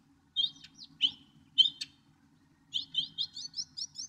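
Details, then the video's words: Northern mockingbird gives a few separate sharp, high notes, then a fast run of rising chirps repeated about six times. "1 hour Northern Mockingbird!"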